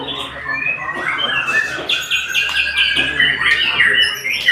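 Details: White-rumped shama giving clear rising and falling whistles mixed with sharp squawky notes and short rattles, loud and varied throughout.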